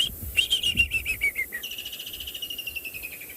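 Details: At sunset in Tswalu Kalahari Reserve, South Africa, on 30 November, a Woodland Kingfisher, recently arrived a few weeks earlier and perched in distant leadwood trees, gives a sharp high note, a few stuttering notes, then a long, fast, ringing trill slowly falling in pitch.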